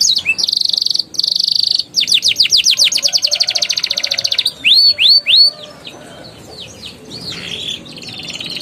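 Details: Canary ngeriwik and ngeroll song to stimulate young or silent canaries: two buzzy held notes, a long trill of quick falling sweeps, three loud arched whistles, then soft fading notes.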